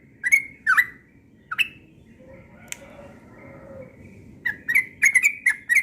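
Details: Yellow-vented bulbul singing persistently in the morning, ropel style: a few loud slurred notes, a quieter gap with a sharp click and softer low whistles, then a fast run of bubbly phrases.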